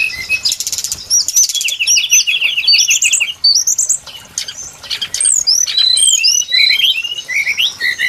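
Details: Brown-chested jungle flycatcher (sikatan rimba dada coklat) song used as a lure for bird trapping: rapid, varied, high whistled notes and slurred upward and downward phrases, densely overlapping, with quick chattering runs throughout.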